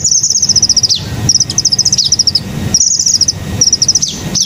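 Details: Hummingbird in the wild giving repeated bursts of quick, high-pitched ticking notes, each burst ending in a steep falling slur, about four phrases with short pauses between.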